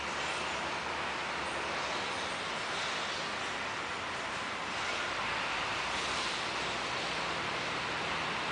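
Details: Steady broadband roar of traffic or passing vehicles throughout, with no animal voice.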